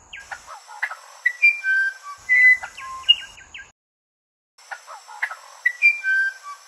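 Musician wren singing clear, flute-like whistles at shifting pitches, mixed with short rough clicking notes, over a steady high insect-like hiss; the phrase repeats after a brief pause.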